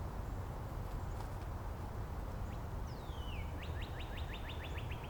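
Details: Distant neighbouring Northern Cardinal in Angrignon Park on March 19, answering other singers: a faint downward-gliding whistle followed by a fast run of about nine short upward slurs, partly masked by heavy low traffic-like rumble.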